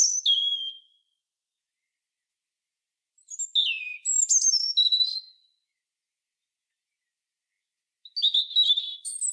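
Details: European robin singing: high, thin warbled phrases with sliding whistles and fast twittering notes, each about a second long and separated by silent pauses of two to three seconds.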